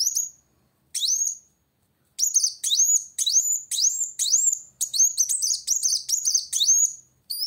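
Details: Sunbird called kolibri wulung in song meant to challenge a rival: scattered high rising whistles at first, then a busier stream of sharp, upward-hooked chirps roughly twice a second.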